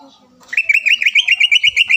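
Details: Green leafbird lure song to prompt a rival to sing: fast, even trill of pulsing whistled notes holding a steady pitch, preceded by faint low background sound.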